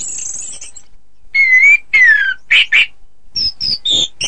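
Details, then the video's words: Orange-headed thrush singing for song-contest practice: a high thin note, then two clear whistled phrases, one rising and one falling, followed by a quick series of short chirps at varied pitches. "Suara Kicau Burung Anis Kembang"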